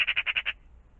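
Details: Magpie calling in the morning by a pond, a short dry rattle of six rapid harsh notes in about half a second, then quiet.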